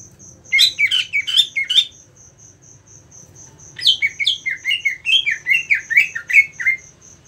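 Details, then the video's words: Greater green leafbird fighter sounds for building fighting mentality: two bouts of scratchy, excited chattering with jumbled descending notes, the second longer and steadier, against a continuous high-pitched ticking note repeating through the pause. "Mental tarung cucak ijo anda akan terlatih dengan video cucak ijo fighter ini"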